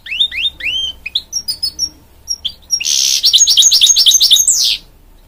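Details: Hybrid goldfinch mule, offspring of goldfinch and canary, delivering slurred upward whistles, scattered chirps, then a loud harsh buzz running into rapid twittered notes.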